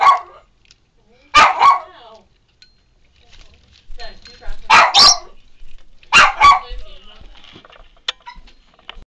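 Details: Pet Meyer's parrot giving harsh, raspy squawks in short bursts, a few seconds apart, aggressive calls aimed at the household's Senegal parrot it dislikes, with quieter chatter and a faint human voice between.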